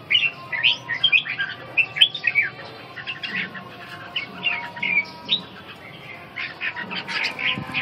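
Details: Red-whiskered bulbul giving bursts of short, bright warbled phrases, several quick notes together, followed by quieter, scattered chirps over a steady noisy background with faint hum.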